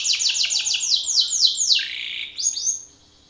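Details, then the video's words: Loud Belgian canary male singing toward a rival male: quick run of descending whistled syllables that speed up, then a drawn-out buzzy slur and a short closing whistle before silence. "Canário belga BRAVO CANTANDO FORTE na cara de outro macho !"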